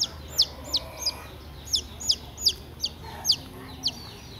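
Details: Lost chick that strayed into a house, recorded 26 April 2021 at 14:51, giving loud high peeps that drop sharply in pitch, about nine in four seconds at uneven spacing, over a low background hum.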